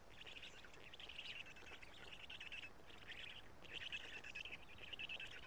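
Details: Young Black storks in Karula, 3 June 2017 at 11:35, calling during a feed from the adult male. Grating, wheezy calls come in three or four clustered bursts, with a clear pause before the last.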